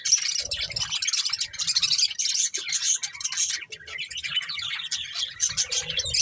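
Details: Several budgerigars chirping at once, a thick, continuous wash of high twittering, buzzy warbles and sharp squeaks with only short dips in loudness.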